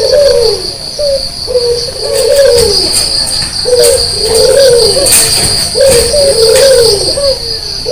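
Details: Early-morning cooing from an active white Barbary dove with red eyes; mellow, low coos delivered in a rolling series of phrases, about every one to two seconds, over a constant high-pitched buzzing hum.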